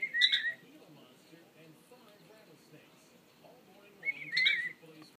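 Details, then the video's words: Pet parrot singing indoors: a short wavering whistle at the start and another warbled whistled phrase near the end, with quiet room noise between. "Sammy sings!"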